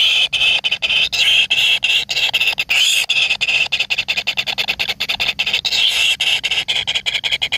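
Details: Baby birds in the nest fighting over food, begging with a loud, continuous, harsh hissing chorus chopped into rapid uneven pulses throughout.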